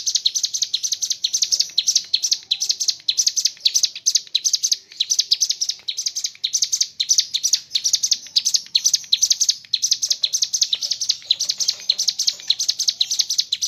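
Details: Long unbroken ngebren song of a mountain leaf warbler, filled with kapas tembak phrases: very fast, high, buzzy chatter of crowded notes running without a break for nearly fourteen seconds.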